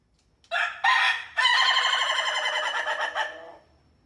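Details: A rooster crows with two short clipped syllables, then a long quavering, rasping note of about two seconds that fades gradually; otherwise quiet.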